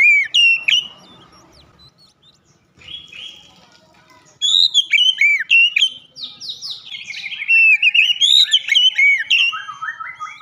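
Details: Oriental magpie-robin singing loudly in the open-throated gacor ngeplong style, beak opened wide: rich whistled phrases with sliding, looping notes, quieter chatter midway, then a long run of rapid varied whistles rising and falling.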